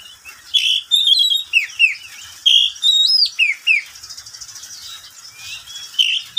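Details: A pet oriental magpie-robin (kacer) sings in the daytime, a bright, varied run of clear whistles and quick downslurred notes in short bursts with softer chattering in the pauses; the recording is meant for training and luring kacer.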